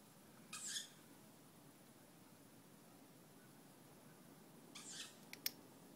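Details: Two young tawny owls at night, active from around 23:07 through the night; two faint, hoarse screeching calls about four seconds apart, followed by a sharp click, over steady hiss.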